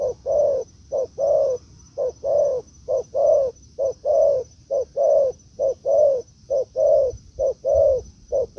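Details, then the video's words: Spotted dove calling in forest during a decoy dove's meeting with a wild bird: regular, rhythmic low coos, each brief note chased by a fuller longer one, about a pair per second throughout. "Mồi Thổ ô ra rừng đụng bổi đồng cườm đẹp"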